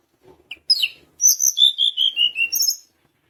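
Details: Sunda minivet singing: two short sharp chirps followed by a clear run of about seven high, thin whistled notes descending in pitch, with faint higher overtones, in a quiet setting.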